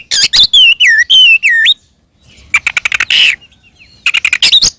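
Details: Oriental magpie-robin fighting song meant to provoke other magpie-robins: a run of loud looping whistles, then rapid ticking notes with a harsh buzzy burst, another quick ticking series at the end.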